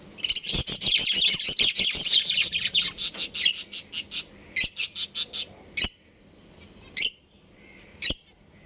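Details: Domestic budgies, happy and at play, chirp loudly in a fast run of sharp, high, evenly spaced notes for about five seconds, slowing into separate chirps with short silences between.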